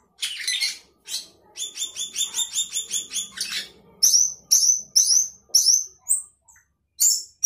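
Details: Sooty-headed bulbul in lively fill-in song, said to leave rivals beaten: scratchy bursts, a quick trill of about ten bright repeated notes, then a string of high downward-sliding whistles.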